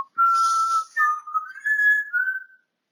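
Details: Pet African grey parrot whistling indoors: a long steady clear tone, then a run of linked notes stepping slightly up and down, sustained and tuneful over about two and a half seconds.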